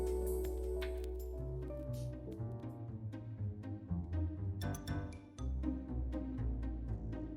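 Instrumental music with deep bowed and plucked string notes, like a double bass or cello, playing in a steady rhythm; no animal voices are heard.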